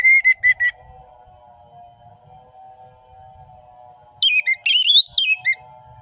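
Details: Orange-headed thrush song played as a lure to prompt quiet, lazy birds to sing: a few sharp high notes, a long pause over a steady low hum, then a fast burst of varied whistled phrases.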